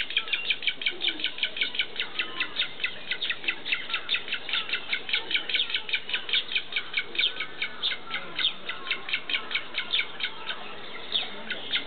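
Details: Black-faced spoonbill chick begging while being fed at Tama Zoological Park: a fast, steady train of short, squeaky chirps repeated several times a second for the whole stretch, over a faint background murmur.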